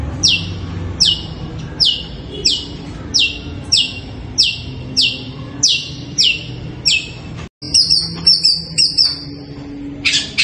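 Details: Long-tailed shrike calling at night, its voice likened to a kuntilanak ghost: about ten sharp, high, downslurred notes repeated roughly every two-thirds of a second, then a brief break and a burst of harsh, buzzy chattering.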